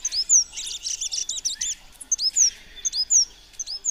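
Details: Chestnut-vented conebill singing a quick series of high, thin, curving whistled notes, several each second, with a dense twittering jumble early on and the sharp slurred notes repeating to the end.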